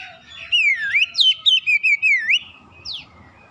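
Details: Oriental magpie-robin singing as a provocation lure for other magpie-robins: a loud, continuous chain of swooping whistles over about two seconds, then one short falling note.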